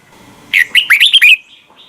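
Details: A single quick phrase of a red-whiskered bulbul's double-note wild-style morning song for training: five or six bright, bouncing slurred whistles, then a faint trailing note.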